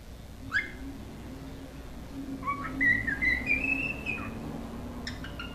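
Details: A young pet cockatiel, one of a male-female pair being taught to whistle by playing them a video, gives a rising, wavering whistled phrase with a few short chirps before and after, over a steady low hum.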